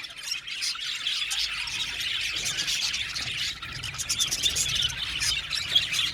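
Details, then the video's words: Blue male budgerigars chattering, high scratchy twitters with bursts of sharp clicking chirps; the chatter dips briefly midway, then picks up with louder squeaky notes. "Beautiful Bule Male Budgies sounds | Budgies chirping sound"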